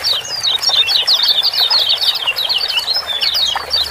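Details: Lemon-bellied white-eye (kecial kuning) ciak-ciak calling, used as a lure to make lazy birds sing. Loud, continuous, very fast high chirping with wavering, sliding notes packed end to end for the whole stretch.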